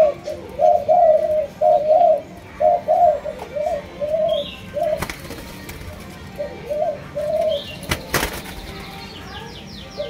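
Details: Malaysian-strain spotted dove, a kept bird, cooing in low soft phrases for the first half, then fainter coos among sharp clicks and some background music.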